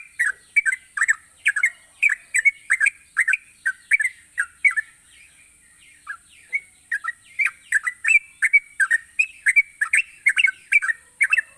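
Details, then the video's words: Lively yellow-vented bulbul song, a rapid run of liquid, chattering notes about two or three per second with a brief lull midway, then resuming just as fast over a constant thin high whine. "burung trucukan gacor memancing trucuk malas jadi rajin bunyi"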